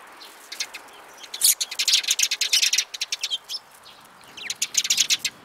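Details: Sparrows, including a spirited one, in March 2018: dense, rapid, high chirping in long, excited runs of clipped notes, a brief lull, then another burst.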